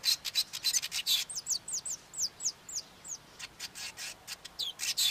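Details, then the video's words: Male Cape weaver singing: a burst of buzzy chatter gives way to a spaced series of clear, descending whistled slurs, then the scratchy chattering resumes loudly. "Cape Weaver male singing"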